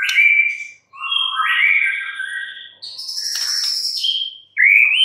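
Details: White-rumped shama song: rich whistled phrases, a steady note near the middle register, then a lower warbling run, a high buzzy trill and a rising whistle at the end.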